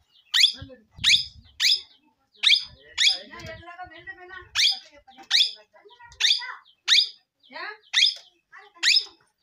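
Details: Parrot giving loud, harsh squawks that sweep downward, repeated every half second to one second, with a softer stretch of low chattering between about three and four seconds.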